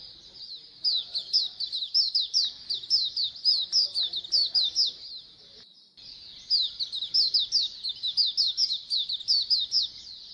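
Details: Many Oriental white-eyes twittering together as a colony sound meant to encourage singing; two bursts of fast, high, slurred chirps, separated by a short lull near the middle.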